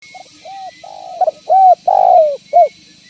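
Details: Lively spotted dove used as a lure to attract and trap other spotted doves, giving a run of low hollow coos: short notes, then longer drawn-out coos with a falling tail, over faint background hiss.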